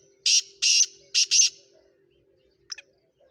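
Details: Sindhi Speeder black francolin, a bird for sale, utters a single harsh call of four rasping bursts, two long then two short and close together, followed by silence and a faint distant double tick.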